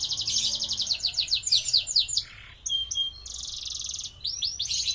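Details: Canary singing as tutor song for songbirds: rapid repeated rising chirps, a brief lower rasping note, then a buzzy high trill and more quick sweeping notes.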